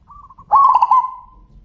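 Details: A zebra dove's loud, purring trilled coo, preceded by a short, soft series of stuttering coo notes from a second bird answering it.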